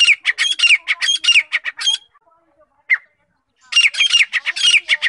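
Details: Grey francolin (teetar) calling in two bouts of loud, harsh, rhythmic squawks separated by a short quiet gap with one lone note.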